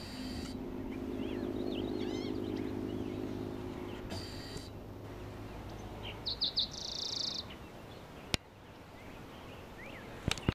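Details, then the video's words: Green-tailed Towhee song: a few thin, slurred chips, then a short, bright buzzy trill, over a low engine hum and a couple of sharp clicks. "Green-tailed Towhee sings"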